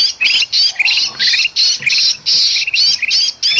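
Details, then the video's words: Agitated bulbul, Sumatran forest, a lure sound for birds: loud coarse squawks about three per second, some long and drawn out, with clipped chirp notes slipping in between. "suara kutilang emas ribut sama kutilang kejepit paling ampuh pikat burung"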